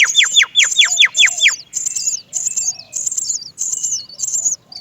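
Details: Nestling Great myna crying to be fed by its mother: a quick string of loud falling whistled chirps, then repeated high, wavering squeaky cries roughly twice a second.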